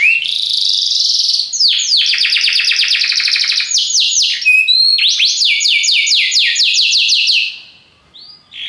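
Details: Belgian canary singing powerfully, rapid metallic trills and fast chains of downward-swept notes, sustained for about seven seconds before fading.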